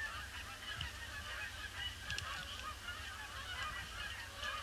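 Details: Flock of Canada geese wheeling round a pond before settling, Boxing Day 2015 under grey skies; scattered honks overlap in a steady chorus, with a couple of sharp clicks and persistent low wind noise.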